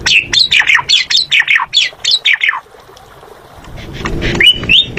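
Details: Asian pied starling song: a fast run of loud whistled and chattering notes, many sweeping downward, packed into the first two and a half seconds, then quiet with low background rumble and a few later whistles.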